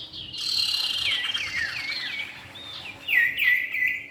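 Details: Male and female common iora calling: wavering whistled phrases that slide downward, a pause, then several loud clear upslurred whistles near the end.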